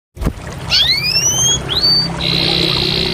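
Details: Canary song fragment: two long rising whistled glides, a short upward slurred note, then a steady buzzy high trill continuing to the end over faint low background hum.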